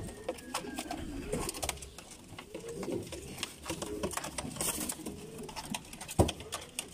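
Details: Loft-kept Bulgarian abssi pigeons. Repeated low, bubbling coos overlap one another, with dense clicking, wing flutters and a sharp knock near the end.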